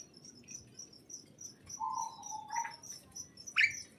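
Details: Birds in a greenhouse give a drawn-out level note and then a sharp rising chirp, against a rapid, regular high ticking and a low murmur of background noise.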